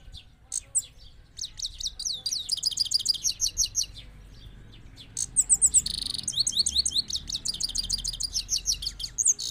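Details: Trained Himalayan goldfinch from Parachinar, in Kabul, Afghanistan, 2022: bright, high twittering phrases of rapid chirps and buzzy trills, a pause, then a second longer rolling burst of tinkling notes.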